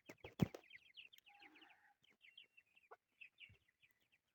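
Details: Chukar partridge chicks calling with rapid short descending peeps after a loud thump at the start, with a faint low hum partway through.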